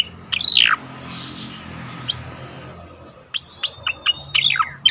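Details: Striated grassbird song, melodious, used to prompt and train other songbirds for group singing contests: a loud sweeping descending whistle opens, then after a pause a series of short sharp chirps and whistled notes follows; faint low hum underneath.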